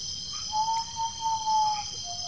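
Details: Common Potoo singing at night, with playback used, at Peruíbe, São Paulo, Brazil, 20 September 2018: a long, mournful whistle that sags slightly, then a lower note begins, over steady high insect drone.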